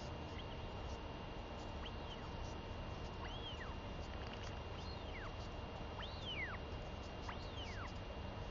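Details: Hungry northern royal albatross chick, begging from its mother who has just come home from sea, 23 May 2021. A run of arched whistles, rising then sliding down, repeated about every second, growing clearer, over low rumble.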